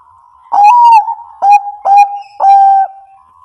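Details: Zebra dove of the Bangkok type singing a lure phrase meant to coax quiet birds to answer: a soft lead-in tone, then four clear hollow coos, each opening abruptly and holding a level whistled note.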